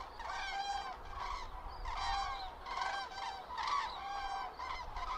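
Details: Autumn passage of common cranes over central Hesse, Germany, 31.10.2022, bad weather for filming: clear bugling calls from several birds, rich and rolling, in clustered bursts with short pauses between.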